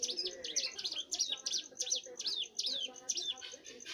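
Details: Young bar-winged prinia singing: quick, high, sharply slurred notes in an uneven run, about three per second, with a steady faint high tone and low background murmurs.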